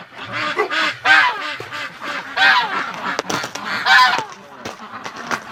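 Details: Domestic ducks being let out of the barn around noon on a sunny, windy mid-February winter day at about minus 18, quacking in a noisy, overlapping chorus of harsh, nasal calls.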